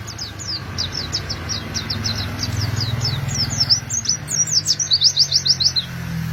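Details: Oriental white-eye singing a long run of quick high chirps that speed into a dense rolling trill near the end, used as a model to draw other white-eyes into song; low rumble beneath.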